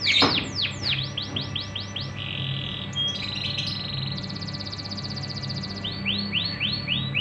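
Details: Canary song used as a lure to draw untrained young canaries into singing: repeated downward-sweeping whistled notes, a steady buzzy trill, then a fast high rattle and more sweeping notes, over constant background hiss.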